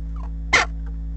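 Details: A western jackdaw during a food pass on 19 March gives one short, harsh, clipped 'chak' lasting about a tenth of a second, over a steady low electrical hum.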